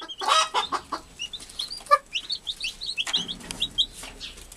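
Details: An American hen watching over her newly hatched brood; noisy rustling at first, then a low short cluck, followed by clear high rising peeps repeated in loose series.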